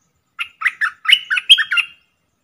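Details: Streak-eared bulbul used as a caged decoy to attract wild birds: a rapid phrase of roughly eight gravelly, bubbling chirps, a couple joined by a thin sustained whistle, then quiet.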